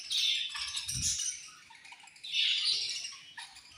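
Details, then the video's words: Pet budgies eating at feeding time, said to be angry, burst into two loud spells of harsh high chatter separated by quieter twittering, with a brief low thump near the start. "My Beautiful Budgies Angry Eating And Chirping Sounds"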